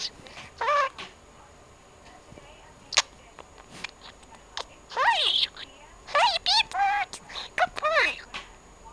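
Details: Pet budgerigar talking to itself indoors beside its owner: quick bursts of warbled, speech-like syllables with sharp clicks.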